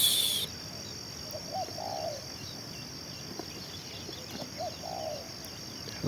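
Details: Spotted dove, a decoy bird said to coo for two hours, repeats its phrase twice about three seconds apart, each a short low note then a longer burred coo, after a loud noisy burst, with steady high insect whine.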